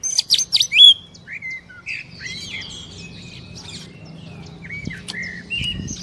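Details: Oriental magpie-robin, a lure recording meant to prompt a captive bird to sing quickly: a loud burst of sharp, varied whistles and chirps in the first second, then soft scattered whistled notes over low background hum.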